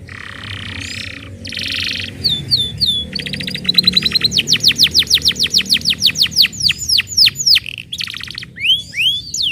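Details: Canary singing, played as a lure to make other canaries sing: buzzy rattles, short looping whistles, then a long run of steep downward-swept whistled notes and rising swoops.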